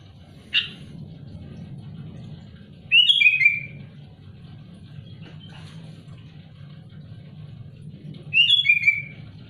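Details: Two loud, bubbly descending whistled phrases from a sooty-headed bulbul challenging its rivals, about five seconds apart, preceded by a sharp click, over a low steady hum.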